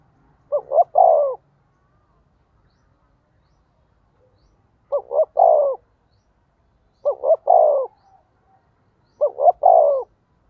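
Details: Lure spotted dove calling to prompt rival birds to coo: four soft, mellow phrases, each two short notes and a longer descending coo, spaced roughly two seconds apart in a quiet setting.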